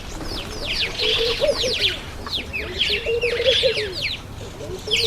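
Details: Black-collared barbets at a feeding table give low, hollow, bubbly phrases, each rising then falling, in two clear bursts. Many high, thin chirps and twitters from other birds overlap throughout.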